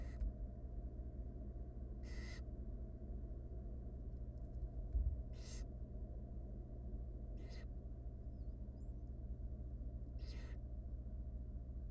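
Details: Five rasping, breathy hisses at roughly two to three second intervals come from three hungry wild barn owl nestlings being fed by their mother inside a research nest box, over a steady low hum.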